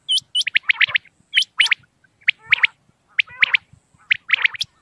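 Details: Common quail giving sharp, liquid clipped notes in quick bursts of three or four, repeated about every second and a half, a call used for hunting at night.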